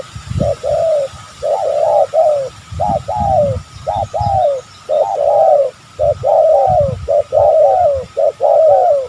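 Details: Wild spotted doves, described as very aggressive, call near a lure and snare in oil palm plantation. Loud, rapid runs of paired coos, a short note then a longer falling one, repeat continuously, with dull low thumps underneath.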